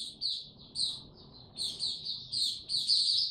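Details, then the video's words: A white-eye sings in warm, humid weather: short bright bursts of high, squeaky twittering separated by brief gaps, closing with a sustained, intense warble. "Mata Puteh Hercules buka sing warm n very humid weather"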